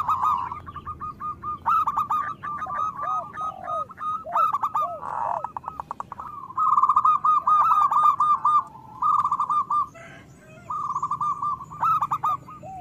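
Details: Zebra dove song used as a lure for local doves that rarely sing: long strings of quick staccato coos broken by short pauses, soft descending notes, and overlapping voices from more than one bird.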